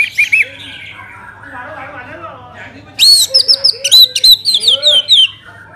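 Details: Orange-headed thrush song played to stimulate other birds into singing: a varied run of loud, quick, looping whistles and chirps, densely repeated after a brief softer opening.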